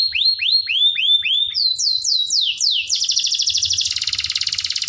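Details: Canary master song to encourage young birds: evenly spaced curving whistles, a rising sequence of sweeps, then a fast buzzy trill turning into a harsh chattering rattle.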